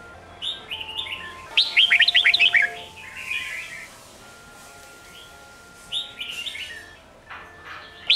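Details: Sông Kôn style singing of a red-whiskered bulbul, meant to train young birds for competition; soft short notes lead into one loud, fast, warbling phrase, then quieter scattered chirps and a brief phrase near the end.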